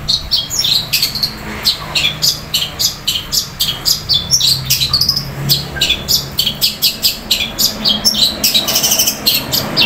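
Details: Cendet, or long-tailed shrike, delivering a loud sparrow-fight style roll: a steady, fast stream of harsh high chirps and squeaky notes repeated several times a second, pausing briefly before resuming.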